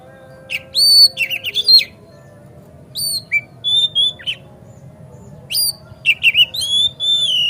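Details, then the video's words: White-rumped shama song played to stir a kacer into song with its tail spread: bursts of clear whistles and sharp chirps repeated in phrases every couple of seconds, with quiet gaps and a low hum. "Pancingan Kacer Agar Cepat Gacor Ngotot Buka Ekor"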